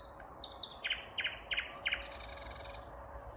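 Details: Vagrant Common Nightingale singing heartily one May morning in 2021 in Kvarnbo, a suburb of Uppsala, Sweden, unseen in cover. Thin high notes open, then four loud evenly spaced hard notes and a dry buzzing rattle, over steady background rumble.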